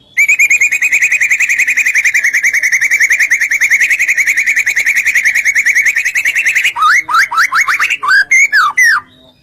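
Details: Provocative song of a white-rumped shama used to make other shamas sing angrily: a long, fast, even trill lasting nearly seven seconds, ending in loud swooping whistles that rise and fall.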